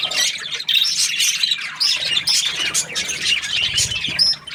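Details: Happy budgerigar chatter in bursts of rapid twittering and squeaky chirps, with several clear upswept whistles and short gaps between phrases.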